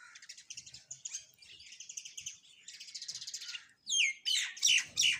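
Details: Home sparrows chirping while eating food: a busy run of quick, high twittering notes, then louder, sharper chirps that swoop downward in the last second.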